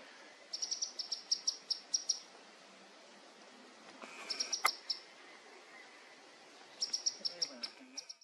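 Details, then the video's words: Olive sunbird giving thin, high-pitched notes in quick runs of about eight to ten, in three bursts, over a faint steady background hiss. "OLIVE SUNBIRD"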